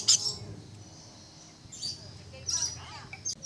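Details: Blue-streaked lory at Lion Country Safari, Florida, giving short, shrill screeches, four bursts spaced unevenly over a few seconds, with a person speaking quietly in the background.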